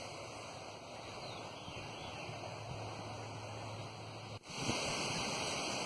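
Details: Steady broadband hiss like rushing water or surf, with low electrical hum and a brief dropout click near the end.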